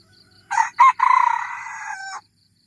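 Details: Thai lure recording of a red junglefowl crowing: two quick hoarse notes, then a long rasping note of over a second, ending abruptly; quiet insect pulses in the background.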